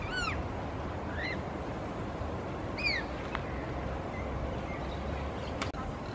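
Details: Wild Coconut lorikeet in Singapore, an introduced species now breeding locally. Three short, harsh, screechy calls that arch up and down, spaced about a second or more apart early on, over a steady low rumbling background, with a sharp click near the end.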